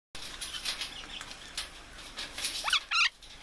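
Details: Red-fan parrot (Deroptyus accipitrinus), apparently a pet, gives two quick, harsh, rising chirps at the end, after a stretch of scratchy rustling and clicking.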